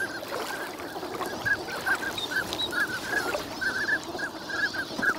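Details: Migrant ducks spending the winter at Nagahama on Lake Inawashiro, lively on a sunny morning; quick bursts of short, slightly rising nasal notes from numerous birds, closely packed, over soft ambient noise.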